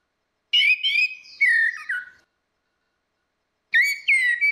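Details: Orange-headed thrush, female and male, as a lure: clear whistled song phrases, descending slurred notes in a first burst, then a second burst after a pause of about one and a half seconds.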